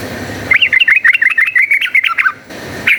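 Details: Brief volley of quick, lively warbling notes from a yellow-vented bulbul in full fighting song, used to provoke other bulbuls, followed by a short pause and one more note.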